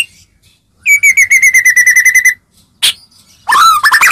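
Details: White-rumped shama song used to get other shamas to answer: a fast even trill of about a dozen notes slowly dropping in pitch, a sharp chip, then a rich swooping warble.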